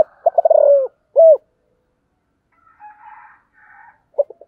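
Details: Spotted dove calling in sấm thổ style, gáy gọi và thúc: a quick rolling series of deep notes flows into a loud single croo, followed by faint higher bird twitters and a short coo fragment.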